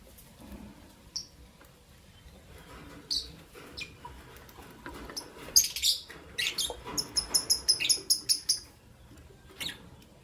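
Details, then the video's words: Lovebirds of albino and euwing green opaline colour chirp in the morning: isolated sharp high notes and faint clicks, then a quick run of about ten evenly spaced piercing chirps before the sound thins out again. "Lovebird Chirping Sound"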